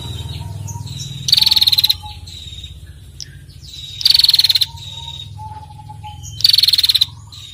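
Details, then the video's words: Female bar-winged prinia calling to stimulate other birds to sing; three loud, rapid, buzzy trills, each about half a second long and slightly falling, spaced roughly every two and a half seconds, with faint whistles from other birds between them. "Prenjak Betina Gacor Ngetirrr"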